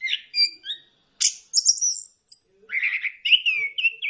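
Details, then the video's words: Orange-headed thrush singing as a lure to prompt other birds into song: a few whistled notes, a brief pause, then a harsh high burst and a rolling warbled phrase with wavering whistles. "pancingan ampuh! punglor kembang | merangsang burung cepat gacor"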